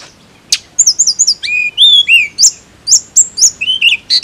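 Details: Tledekan song: a quick run of high, thin whistled notes, several sliding down or up, mixed with sharp clicks and short chips, about three to four notes a second, over a quiet background.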